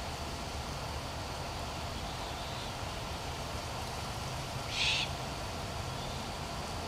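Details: Great horned owl in Colorado, calling to a sibling perched in another tree; one short, harsh, hissing burst about two-thirds through, over a steady low rumble and broad background hiss.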